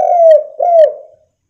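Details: Spotted dove, the local derkuku, used as a lure call to make other doves respond; two drawn-out, mellow coos, each with a downward slide at its close, then silence.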